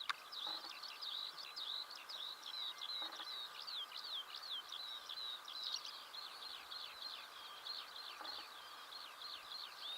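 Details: Eurasian skylark song recorded in Belarus on a morning in June 2016, a continuous rapid run of high twittering and whistled notes pouring on without pause over a soft background hiss.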